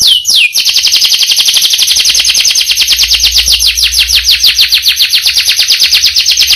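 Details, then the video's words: Canary singing a long roll: a loud, fast trill of rapid repeated notes running without pause, opening with a quick downward sweep, the rolling phrase steady and high-pitched throughout. "Burung Kenari Gacor Roll Panjang Isian Mewah"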